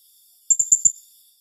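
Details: Blue-crowned hanging parrot calling tembakan rapat style: a fast run of four sharp, high, ticking notes within half a second, bright and thin, over a quiet background.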